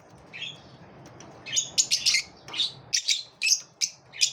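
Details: Lovebirds competing with each other, trading sharp, piercing chirps and squawky notes, quiet at first, then a rapid run of loud high calls roughly every third of a second, with a low background hum.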